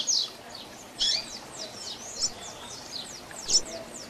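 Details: Softer double-collared seedeater song in the Tui Tui Zel Zel Diferenciado style, used to train young birds. Thin high slurred notes repeat steadily, with a few sharper accents at the start and end.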